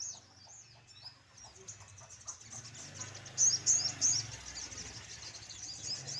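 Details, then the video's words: Morning sunbird song in the sun: soft high twitters at first, then three loud, piercing, sharply pitched notes in quick succession, over a low background hum. "jemur pagi burung sogon"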